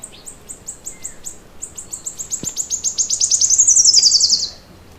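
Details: Bird singing in the morning: a series of very high thin notes, spaced at first, then speeding up and growing louder into a fast rising trill that stops abruptly.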